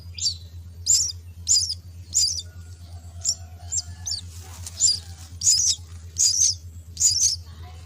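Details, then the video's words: Myna chicks in the nest beg for food with a steady series of about eleven scratchy, high rasps, spaced under a second apart, over a low steady hum. "Feed the myna chicks at nest"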